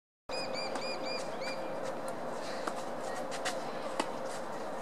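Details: A male falcated duck at Kashiwa-no-ha, Kashiwa, Japan, on 27 February 2015 gives a quick run of thin, clear whistled notes, then fades under steady outdoor rumble and hiss.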